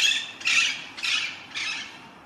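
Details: An Alexandrine parakeet in a neighbour's walnut tree in autumn, near a garden after a frosty night, gives its raw, harsh squawk three times in quick succession.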